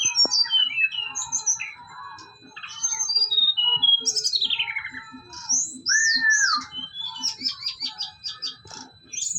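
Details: Kept brown-chested jungle flycatcher from Bali in full song under a mental test: a rich medley of whistled upslurs and downslurs, a long descending trill and quick chattering notes, loud and continuous.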